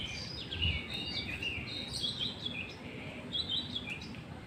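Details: White-rumped shama singing in the afternoon: a busy run of high, varied chirps and short whistled phrases, fast and irregular, over a low background rumble.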